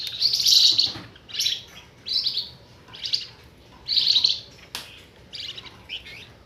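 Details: Flamboyan bird lure call for trapping, made of harsh buzzy notes in separate bursts spaced roughly a second apart, with a sharp click near the end.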